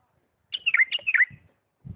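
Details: Two linked phrases of melodious, swooping whistles, each falling in pitch, from a bulbul of Diyala in the refined lisanat song style; low thumps at the end.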